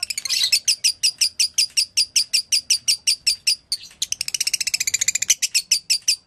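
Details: Dobelan chirping of a lovebird, described as konslet: a steady stream of sharp high chirps, a brief gap, then a faster, denser run of notes before resuming the even rhythm.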